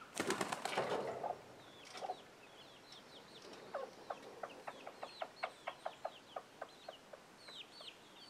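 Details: Chicken giving an alert sound that sends young chicks scrambling: a loud harsh burst of noisy calls opens, then quick clucks repeat about twice a second while the chicks' thin downward-slurred peeps continue above.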